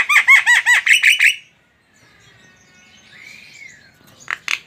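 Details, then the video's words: Javan myna singing gacor style: a quick string of seven arched, grating chatter notes, a pause, a soft drawn-out whistled arc, then loud harsh calls resume. "SUARA BURUNG JALAK KEBO GACOR"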